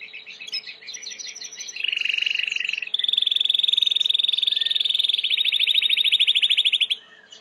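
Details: Timbrado canary singing, recorded as training material: a stuttering series of notes gives way to a steady low roll, then a long, fast, even trill running past five seconds, over a faint constant hum.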